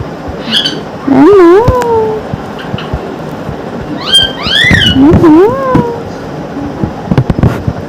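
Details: Talking pet parrot in a morning chatter session: wavering, word-like vocal phrases with wobbling pitch, two main bursts separated by quieter moments, plus faint clicks indoors.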